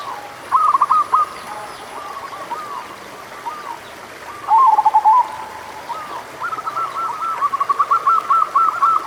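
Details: Local zebra dove, recorded as a lure for doves that are slow to sing: several separate bursts of quick, bubbly cooing, the last a longer run of evenly spaced rapid notes.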